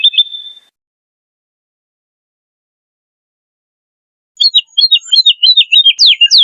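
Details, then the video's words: Wood lark song. A short rippling phrase comes first, then a long silence, then a lively run of clear, sliding, repeated notes rising and falling. "BURUNG WOODLARK ‼️GACOR SUARA MERDU"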